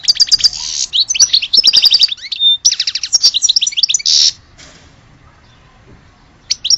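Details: Continuous goldfinch song from Algeria: rapid tinkling twitters, jangling trills and a drawn buzzy note, a pure whistle mid-phrase, ending in silence and a last chirp.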